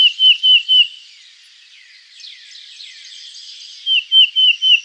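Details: Black-crested Titmouse giving its Peter, Peter, Peter song, higher-pitched than the Tufted Titmouse's: clear whistled two-part notes, three in quick succession, then a quiet gap with faint chatter, then four more rapid notes.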